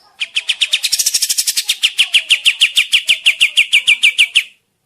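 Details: Kapas tembak bird singing, used to lure birds for trapping in the forest: a speeding buzzy chatter that settles into about twenty evenly spaced, clear downslurred chirps, roughly three per second.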